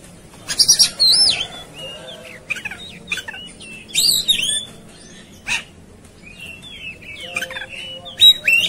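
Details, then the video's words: Oriental magpie-robin worked up for a fight, delivering loud harsh rasping bursts between sweet whistled slurs and chattering notes, with gaps of quieter twittering and other birds in the background. "Segala Kacer Ikut Ngamuk Tarung"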